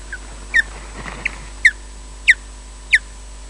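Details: An osprey gives alarm calls at its nest at Loch Garten, Scotland: sharp, high, downslurred whistles, about one every two-thirds of a second, over a faint steady hiss.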